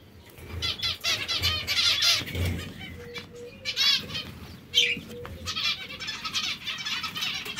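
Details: Zebra finches said to be hungry, calling in busy overlapping nasal bursts, with two brief steady low beeps midway and occasional wing flaps.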